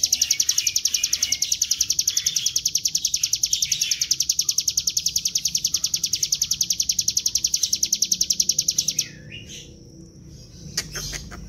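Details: A bar-winged prinia in full song, recorded as a lure to prompt other birds to sing, gives a long, high, drilling trill of rapid, evenly pulsed notes for about nine seconds, stopping abruptly, then faint clicks.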